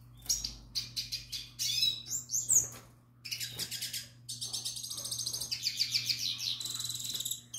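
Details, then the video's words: Canary from last year's brood singing to a female during breeding: scattered chips and short trills, a pause, then a sustained rolling rattle-trill lasting several seconds; low hum in background. "tarim cantando para fêmea, filhote temporada 2021"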